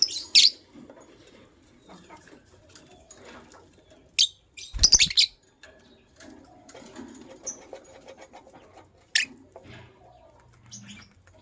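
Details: A couple of white lovebirds in the morning: shrill, rasping chirps singly and in a quick run of several, with a soft flutter of wings and background rustling.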